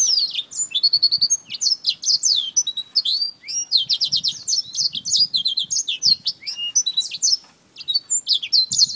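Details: A black-throated finch attacking a finger pours out fast high chirps, bright rising and falling squeaks packed closely together in quick bursts, with soft low knocks and rustles beneath.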